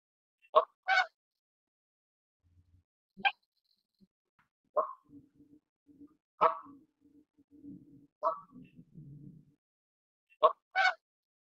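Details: Canada goose honking repeatedly: loud, nasal, harmonic-rich honks, often in quick pairs, spaced a second or two apart, with soft low murmurs and faint splashing noises between calls.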